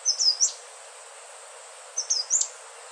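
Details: Two brief high phrases from an Indigo flycatcher (sikatan ninon), each a few thin whistles with a downward flick, separated by about a second and a half of quiet hiss.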